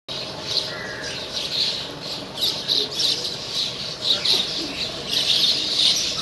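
Bank mynas give a continuous, harsh, squawky chatter of overlapping high notes, with steady bursts every half second or so.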